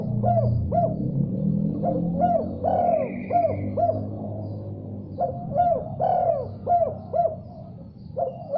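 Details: Spotted dove responding persistently to another call, giving a run of short cooing phrases with a stressed, drawn-out middle note, repeated roughly every three seconds, with low music or hum throughout.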